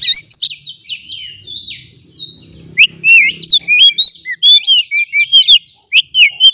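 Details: Loud, continuous Oriental magpie-robin song, played as a lure so stressed kept birds start singing. Fast varied whistles, sharp upslurs and twisting notes follow each other almost without break, with a brief quieter passage.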